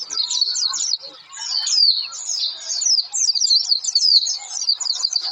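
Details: Oriental white-eye singing busily, a lure to prompt others to sing: bursts of high, sharp, rapidly alternating notes with tiny pauses near the start, then a long unbroken chatter.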